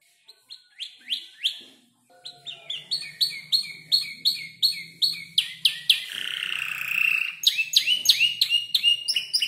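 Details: Canary of roughly five months practising its song with borrowed phrases from other birds such as the klik-klik and prenjak lumut. Scattered chirps build into fast repeated clicking notes, a rolling trill, then more sharp repeated syllables.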